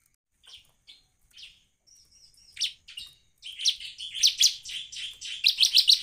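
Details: Bar-winged prinia in lively full song, used as a lure to get other prinias singing. Sparse high chirps at first, then a dense run of sharp, rapid twittering notes that grows louder and busier toward the end.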